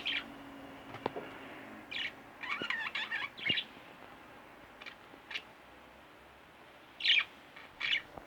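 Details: Pet budgerigars kept indoors, two birds, chirping in short scattered bursts of bright, scratchy notes with pauses between, a few faint clicks in the background.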